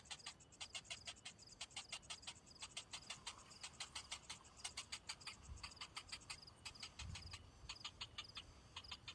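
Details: Hungry cinnamon bittern chick calling for food that its parent did not bring: steady dry clicks in quick trains, with a couple of dull low knocks in the background.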